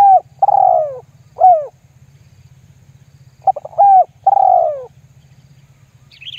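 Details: Spotted dove lure call, lambung guk style, used to get other doves calling: a falling coo and arched note, then a full phrase of stuttered notes and coos, with a steady low hum and a brief high chirp at the end.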